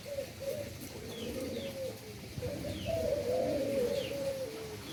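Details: Breeding endemic doves in Indonesia coo continuously in a low, mellow, slightly wavering tone, the cooing swelling louder after a short lull midway, with faint high chirps from small birds scattered through.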